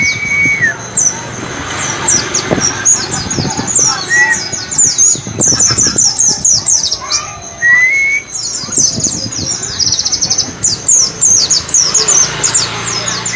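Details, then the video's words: White-eye training recording meant to teach a pet bird the "wit wit cer" song: rapid high chattering twitters and quick downslurred notes in busy runs, with a few longer rising whistles and background noise. "masteran burung pleci agar cepat ngalas wit wit cer"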